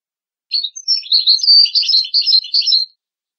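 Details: Tutor song of a European goldfinch for teaching chicks and hybrids, heard against a silent background. Lively, tinkling twitters mix higher and lower notes in rapid, uneven bursts lasting about two and a half seconds.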